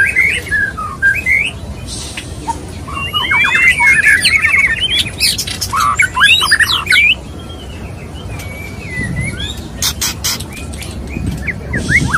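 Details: Male white-rumped shama courting a female: falling whistles, then a loud tumbling rush of fast slurred notes and harsh chatter, a quieter gap, and scattered clicks with brief whistles.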